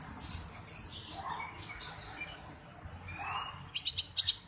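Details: Black-browed reed warbler singing actively, a bird kept as a song tutor and prized for its unique voice. A thin sustained whistle at very high pitch gives way, after a quiet pause, to quick clipped chirps at the end.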